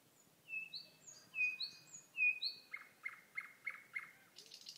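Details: Common nightingale singing in May on eastern Bornholm, Denmark: clear, pure whistled notes, some rising, then a run of five loud, evenly spaced harsh chucks, ending in a rough, rattling burst; quiet background.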